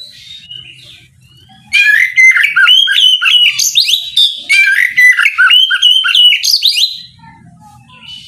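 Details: Oriental magpie-robin in morning ngeplong song, provoking rivals to reply. After a quiet start, five seconds of loud, rapid and varied whistled phrases follow, with repeated up-down notes and sharp chips, fading to quiet at the end.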